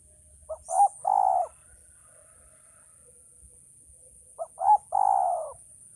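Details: Male spotted dove calling, likely a wild bird: two coo phrases, each made of two short clipped notes followed by a longer, falling, slightly rough coo, roughly four seconds apart, against a quiet background.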